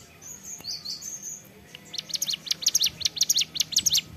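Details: Hill prinia song in the ceplekan style: a few soft thin whistles, then an accelerating series of sharp, high snapping chirps repeated nearly twice a second.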